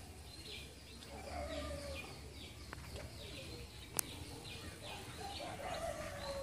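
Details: Tickell's blue flycatcher calling in Sri Lanka: short, high notes repeated steadily through the clip. Lower sliding, cooing sounds from another bird run underneath, along with low background rumble.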